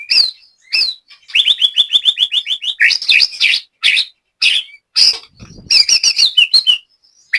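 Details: White-rumped shama, a caged competition-style bird from Banyumas, Central Java: loud looping whistles and a rapid run of about a dozen repeated notes, followed by varied buzzy and whistled phrases.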